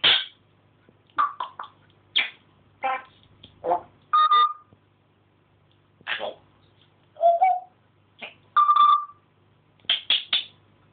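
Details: Pet African grey parrot indoors, recorded from a camera propped on a fish tank, chattering and mimicking phone answering and speech: a string of short speech-like syllables and clear whistled tones, with pauses between bursts.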